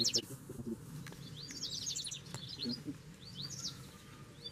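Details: Double-collared seedeater, a wild bird responding to a caged one, gives a brisk twittering phrase of quick slurred whistles, then a shorter burst and a lone note, over low steady noise.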